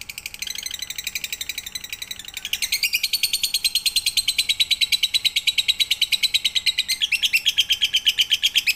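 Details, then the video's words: Lovebird, full pigter song, offered as a night-time training recording. The chatter starts softer, then swells into a loud, steady, rapid string of shrill buzzy notes, about three a second, with a sustained thin whistle running beneath. "MASTERAN SUARA BURUNG LOVEBIRD COCOK UNTUK MALAM HARI FULL PIGTER"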